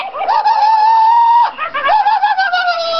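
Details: A male Yellow-crowned Amazon gives a long, nasal, slightly wavering tone, then a shorter broken phrase that drifts lower, in what sounds like a small room, on getting a toy parrot as a Christmas present.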